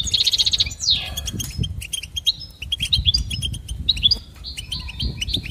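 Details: Goldfinch singing for training: a fast trill and a sliding note open, then sparse, spaced chirps and short buzzy notes, quieter toward the end.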